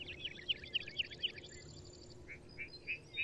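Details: Lark bunting song in open country: a string of repeated buzzy slurred notes about four per second, then a few separate clear whistled notes, over steady low background hiss.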